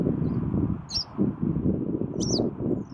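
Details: Western yellow wagtail recorded on 12 June 2018, giving two short, high, thin sweeping call notes about a second apart over steady low rustling and rumbling background noise.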